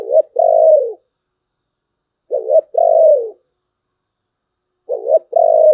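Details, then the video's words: Thổ bầu voiced spotted dove repeating its low coo phrase three times, each a clipped two-part note then a sustained hooting coo sliding downward, with silent gaps between. "cu gáy giọng thổ bầu, nghe cũng hay phết"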